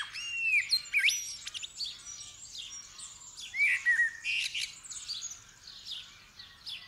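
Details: Common blackbird song within the dawn chorus as the sky started to brighten, 8 December 2019, Superlux 524D stereo microphone; looping flute-like whistles and short warbled figures rise from a thick wash of high twittering birds.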